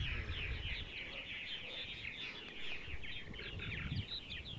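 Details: A chorus of purple martins in central Ohio on a sunny Sunday morning, steady liquid chirping and throaty gurgles from several birds, over soft low background noise.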